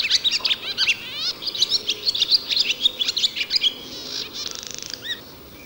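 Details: A male barn swallow in spring at a farm, pausing from nest-building in a stable to proclaim his territory, twitters a fast song of high squeaky notes and short rising slurs, ending in a dry rattling buzz.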